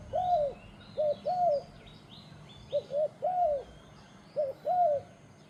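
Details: Turtle dove giving low, mellow two-note coos, a quick short note followed by a longer swelling one, repeated steadily while other small birds chirp faintly in the background.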